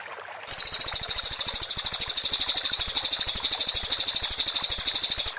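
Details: Cililin delivering its 'tembakan rapat' close-fire phrase, a clean master recording for white-rumped shama training: one sustained, very fast, high buzzy trill of even pulses running nearly five seconds.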